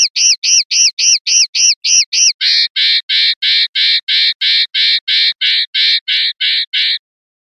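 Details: 'Pardillo limpio' common linnet song, 2021/2022 CD recording: eight quick arched notes, then a long steady series of rougher, buzzy notes repeated about three times a second.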